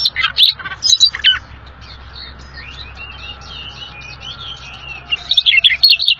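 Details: Rare bird named little fellow, lively tutor song for pet birds: rapid bright chirps open and close the passage, with a run of softer high twittering notes between them.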